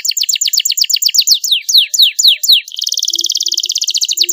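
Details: Canary singing a tutor song for other songbirds: well-spaced, sharply falling whistles that slow toward the middle, then a sudden switch to a dense, buzzy high trill, in clear, luxurious cengkok mewah style.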